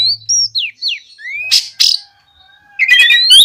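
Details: Oriental magpie-robin in gacor ngeplong song, meant to provoke untrained magpie-robins into singing. Short clear whistles glide down and then rise, followed by two harsh rasping bursts, a brief lull, and a final run of fast, rising whistled notes.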